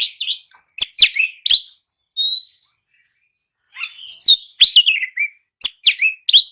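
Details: Oriental magpie-robin singing as a training prompt for birds to answer: sharp chips and falling whistles, a clear upslurred whistle, a pause, then more rapid descending phrases.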